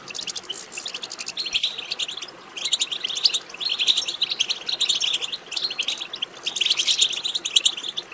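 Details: Goldfinch batbata: bright, rapid twittering in repeated bursts of a second or two, with brief pauses, played to encourage a goldfinch to sing.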